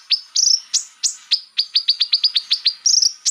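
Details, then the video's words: High, sharp, downward-slurred chips from a konin, played to rile rival birds, given in a quickening series of about four per second, with a short warbled flourish near the end. "pancingan burung konin biar cepat emosi"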